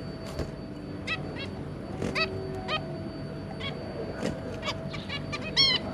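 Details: Zebra finch pair with their three juveniles, 2 August 2022: scattered soft nasal beeps and a few sharper clicks, ending in a louder rapid burst of stacked toots, with background hum.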